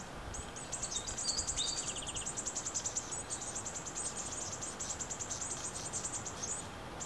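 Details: Brown-headed honeyeaters, a family group in the You Yangs west of Melbourne, plucking koala hair for nests, give high, thin chips in quick, busy overlapping runs. One brief lower trill breaks in, over a soft, steady hiss.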